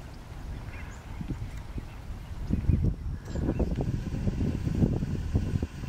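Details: American bittern at Merritt Island National Wildlife Refuge, Titusville, Florida: deep, hollow, gulping pumps, low and resonant, in rapid bursts through the second half, over a rumbling, noisy background.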